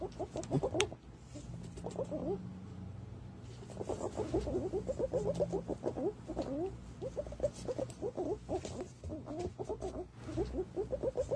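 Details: Lure recording of green pigeons: dense bursts of quick, low, bubbling notes from several birds, a short lull near the start, then steady overlapping chatter through to the end.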